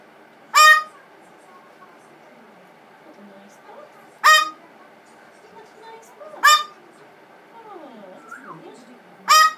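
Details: Blue-fronted amazon throwing a tantrum after being sprayed with water and rose water: four loud, harsh harmonic screams spaced a few seconds apart, with quieter murmuring sounds between them.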